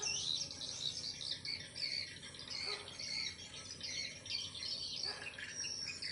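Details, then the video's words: A swiftlet calling sound: swiftlets twitter in a dense, continuous chorus of high, thin chirps and buzzy trills, many birds overlapping with no pause throughout. "Suara walet"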